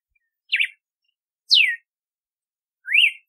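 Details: Cardeal do nordeste, the red-cowled cardinal, delivers three loud whistled notes about a second apart: a quick zigzag note, a sharply falling slur, then a rising slur, with quiet gaps between.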